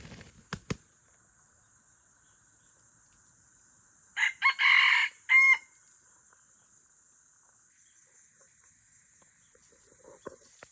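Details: F1 hybrid Aceh junglefowl giving one short crow in two harsh, broadband bursts, the second ending in a clear tonal note; a few sharp clicks before it and steady high hiss throughout.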